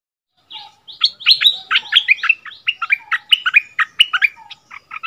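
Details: Decoy bulbul brought back to its old territory, dueling in doubled song with a new resident bird, February 2021: a fast run of loud chirped notes, roughly a dozen short sweeping phrases packed into four seconds, in a quiet background.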